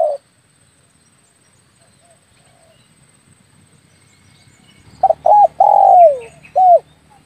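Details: Spotted dove call used as a hunting lure for air-rifle shooters: a long near-silent stretch with faint rumble, then one phrase of clipped double notes, a drawn-out coo sliding downward and a short closing coo.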